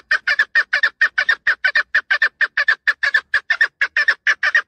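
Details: Chukar partridge repeating sharp, throaty chuck notes in a very regular rhythm, roughly five per second, often doubled, loud and clear against silence.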